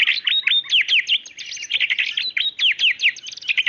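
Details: White-rumped shama, female calling the male, pours out a continuous, loud run of sharp arched whistles and quick chirps, varied and rapid throughout.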